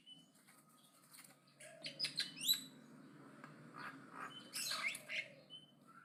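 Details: Javan myna in aggressive chattering song: thin whistled notes and short rising squeaks mixed with scratchy bursts, quieter at first and building to a louder harsh flurry.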